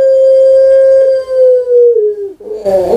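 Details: Kept puter pelung dove, a national champion competition bird, giving one drawn-out steady hum-like coo of about two seconds that slowly falls in pitch, then a short rougher burst at the end.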